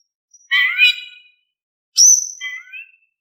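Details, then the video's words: Oriental magpie-robin song for provoking other birds to answer: a dense, scratchy warbled phrase, a pause, then a sharp high whistle sliding downward into softer wavering notes. "Kicau Kacer Gacor Suara Kalem cocok untuk bikin Nyaut Kacer Malas Bunyi"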